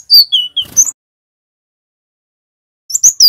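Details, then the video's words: Male cinereous tit from Java giving short loud whistled phrases, two falling notes and a rising chirp, then a pause before another burst, used as a training and prompting song for other tits. "GLATIK BATU JANTAN GACOR | Suara masteran & pancingan ampuh bikin GELATIK wingko bahan rajin NGEROL"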